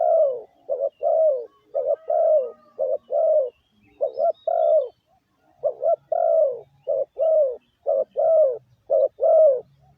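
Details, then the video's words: Spotted dove cooing steadily as a lure call. A run of some twenty soft, low notes mixes brief clipped coos with longer falling ones at roughly one per second for ten seconds, on a quiet background. "Tiếng chim gáy gù gọi mồi cực chuẩn"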